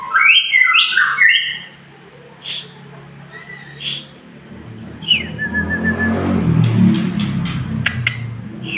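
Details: Male white-rumped shama giving a quick burst of rich whistled notes at the start, then only sparse short chirps and a falling whistle over rising low rumbling background noise.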